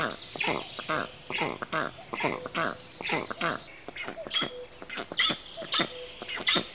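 Black storks give a rapid run of harsh, wheezy, squealing calls, about one a second, with thin high whistles and rasps mixed in.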